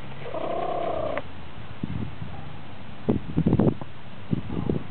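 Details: Hens purring while enjoying a dustbath: a steady, trilling purr lasting about one second, then soft low scuffling and pecking-like taps from the dust.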